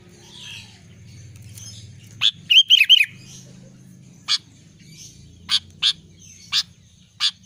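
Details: Albino sooty-headed bulbul singing actively: scattered sharp, dry chip notes, then a quick bubbly warbled phrase of three or four looping notes near the middle, followed by more spaced single chips over a faint low hum.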